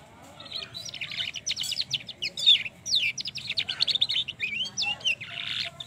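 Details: Variegated (trotol) canary giving a long rolling song used as a lure to stimulate other canaries to sing; dense, rapid high trills and chirps run in fast bursts with brief pauses and twisting whistled notes.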